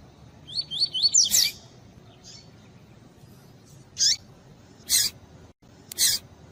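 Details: Double-collared seedeater of the pure tui tui song type, with female calls edited in to stimulate males: a quick series of rising whistled notes forming a short phrase, followed by several sharp, harsh chip calls spaced about a second apart.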